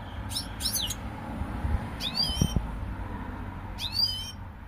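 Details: European goldfinch uttering brief, tinkling twitter bursts of fast sweeping notes, two close together and then two more spaced apart, with soft knocks and low background rumble.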